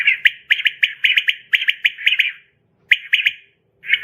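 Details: A quail gives rapid, rasping, mid-pitched notes in bursts of two to four, with a few short breaks between runs; a night call recording used for catching quail. No other sounds are heard.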